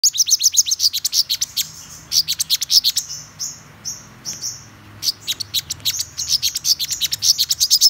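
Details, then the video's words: Black-throated sunbird singing a rapid series of high, thin chirps and short tinny trills. The notes come in quick bursts, with brief pauses around the middle. "Hút Mật Họng Đen Vip"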